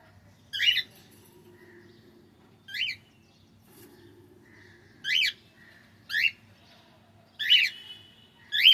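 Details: Cockatiel singing: short, rising whistled chirps spaced one to two seconds apart, each bright and slightly warbled, over a faint low hum.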